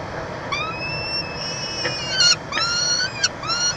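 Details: Peregrine falcon nestbox at the University of Montreal, Canada, 22 June 2023, during chick feeding; thin, high, drawn-out whistled squeals, some rising, with a few sharp clicks between them.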